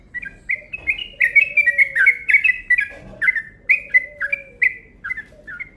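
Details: Yellow-vented bulbul lure call, a long rapid 'ropel' run: quick chirpy notes repeated densely, each a short bright slurred chip, with a faint low drawn-out tone gliding downward underneath twice.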